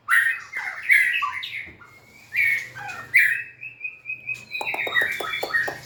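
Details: A White-rumped shama from 2024 sings while dancing and wagging its tail. Loud whistled phrases come in separate bursts, then a long level whistle and a series of rapid clicking ticks.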